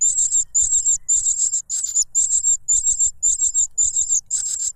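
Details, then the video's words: Fledgling cuckoo clamouring for food from its foster father, which pushes a butterfly into its mouth. Piercing, buzzy, high-pitched notes in regular bursts, about two per second. "The cuckoo bird is too noisy when trying to grab food杜鹃鸟抢食太吵闹了"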